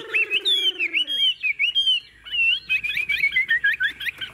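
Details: Tame Chinese hwamei kept in a cage, singing continuously: a low nasal note, then loud looping whistles, followed by fast, jerky bursts of short twisting whistled notes.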